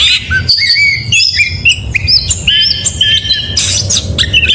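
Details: Oriental magpie-robin singing in the morning, giving varied, clear whistled phrases and rising slurs, with a harsher burst near the end over a continuous low rumble.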